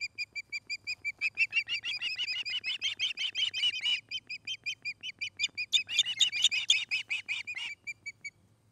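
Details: From a nest camera in Charlo, Montana, late summer: an osprey gives a continuous excited stream of high, shrill whistled chirps, with rapid pulses stacking into harsher clusters midway and easing back to evenly spaced notes.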